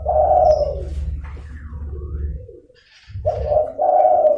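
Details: Zebra dove calling briskly, a lure for wild doves: a rolling coo phrase, a soft lower murmur, a brief silence, then two quick coo bursts, with low hum underneath.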